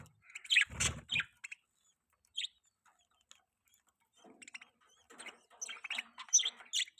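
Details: Budgerigar, a pet bird, making a mating sound: scattered high, sharp chirps and squeaks, with a loud click near the start, a long quiet gap, then a livelier run of twittering toward the end.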